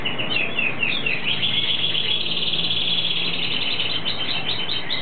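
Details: Argentine hooded siskin (Carduelis magellanica) in breeding season delivering a fast, continuous twittering song of high chirps and trills, with a steady low hum underneath.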